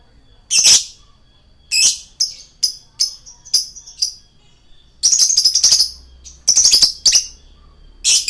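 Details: Male lovebird singing, a recording meant to lure birds: irregular harsh squawks and rasping chatter interspersed with quick high chirps, ending in a loud buzzy burst.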